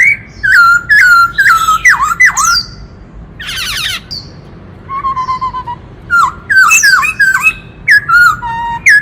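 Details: White-cheeked laughingthrush from the forest singing varied 'kích trống' song to stir up males: quick swooping whistles and sharp dips, a harsh rasp, a softer steady tone, then another energetic run of looping notes.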